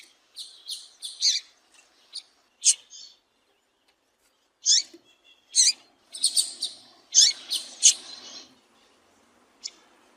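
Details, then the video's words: Female double-collared seedeater giving short, high chips and twittering notes in irregular bursts, some slurred downward, with a denser chattering run near the end; the calls are used to stimulate a male to sing. "Piado de Fêmea de Coleiro pra Esquentar Coleiro"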